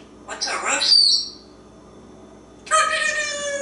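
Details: Pet African Grey Parrot perched on a drawer in a kitchen, chatting: a short burst of broadband, gravelly vocal sound, a pause, then a clearer voiced phrase with stacked bright tones. Indoor room.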